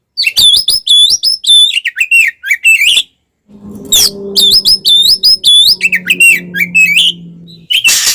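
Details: Oriental magpie-robin fighting song used to provoke rivals: rapid, repeated looping whistles and chattering phrases, with a faint low steady hum behind the second half.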